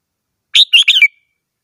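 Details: A single quick red-whiskered bulbul phrase of about four bubbly, warbled notes, ending in a short thin trailing whistle, heard against silence.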